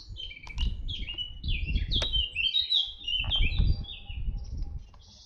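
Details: Red-backed shrike recorded at Artomaña near Orduña, Bizkaia, Spain, in 2025. Jumbled high chirps and short warbled phrases run without pause over steady low wind rumble and a few sharp clicks.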